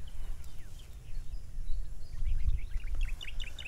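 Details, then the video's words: Two Philippine Pied Fantails, one perched close by, at Tarlac Recreational Park, San Jose, Tarlac, give thin, squeaky chip notes, sparse at first, then a quick run of sharp chirps near the end, over low rumbling wind noise. "We can hear the Philippine Pied Fantail behind. Actually it perched right there, near me."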